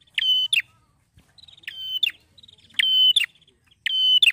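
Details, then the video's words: A male prinia, called happy, sings bright sustained shrill notes with clicky starts and ends, alternating with soft dry ticking series; four strong phrases in just over four seconds. "PEJANTAN YANG BAHAGIA....NGEPLONK KEREN PRENJAK SEMI"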